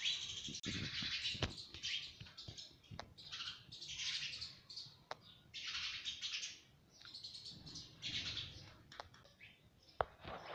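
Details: Pet Indian ringneck parakeet, a parrot, talking and said to repeat "mummy" without stopping. Harsh, hissy bursts of chatter, each about half a second to a second long, come at irregular intervals, with sharp clicks scattered between them.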